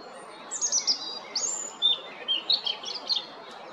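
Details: Robin singing at Jarun in Zagreb, Croatia, on 13 April 2022: a very high, piercing opening note, then clear whistles and a tumbling series of quick, bright warbled notes.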